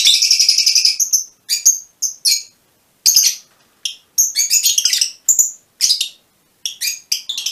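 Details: Fischer's lovebird of a colour mutation calling in short shrill bursts: a long piercing chirp run, then clipped squeaky notes separated by brief silences.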